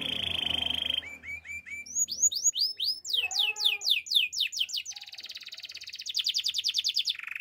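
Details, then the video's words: Male canary singing: a steady high buzzy trill, then a series of short rising whistled notes and fast downward-sweeping slurs, ending in a rapid pulsed trill and a lower buzzy roll. "Male canary singing with beautiful voice"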